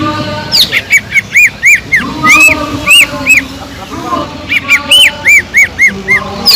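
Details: Lure song of a gacor cucak ijo (greater green leafbird), played to excite and provoke unmotivated leafbirds. Bursts of bright, bouncing arched chirps come in quick runs separated by short gaps, with faint background murmur.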